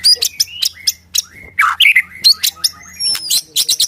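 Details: Captive white-rumped shama singing a rapid mixed medley of chips, short whistles, a harsh lower rasp and thin high rising slurs.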